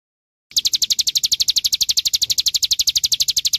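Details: Following half a second of quiet, an olive-backed sunbird sings a brisk, steady sequence of piercing high chirps, about four per second, over a faint low hum.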